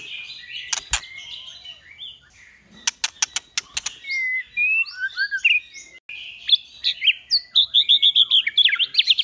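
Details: White-rumped shama song for daily training, 'kéo thuốc lào' and 'giọng dây' styles. Sharp clicks and quick ticks lead into varied whistled and warbled phrases, ending with a rapid run of bright, repeated notes.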